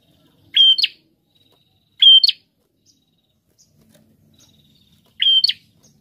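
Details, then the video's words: Three separate high phrases from a busy singing prinia, each a short level whistle followed by a rasping rising flick, spaced by gaps of one to three seconds. "Prenjak Gacor"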